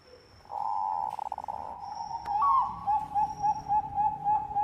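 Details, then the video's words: Zebra dove of the Bangkok type, a lively singer whose song is used as a lure: a low buzzing trill, a brief upward flourish, then a string of short soft coos about four per second, with a faint steady high tone. "PERKUTUT BANGKOK GACOR SUARA AMPUH UNTUK PANCINGAN"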